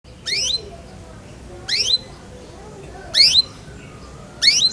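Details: Canary (Serinus canaria) giving four short, harsh, sweeping chirps at regular intervals of about a second and a half, each burst bright and high-pitched, with quiet background between notes.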